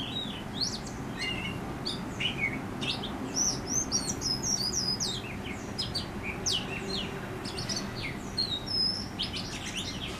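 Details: Backyard song of an Oriental magpie-robin in Howrah, India: dense, varied whistled phrases with sharp upslurs, buzzy flicks and chirps, delivered almost without pause against steady low-pitched ambient noise.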